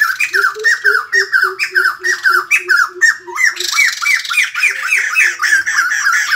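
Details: Morning song of the white-crested laughingthrush, sung as a greeting to the day: a rapid series of rising, squawking notes about four per second over a low hooting undertone, then a denser, harsher chattering burst.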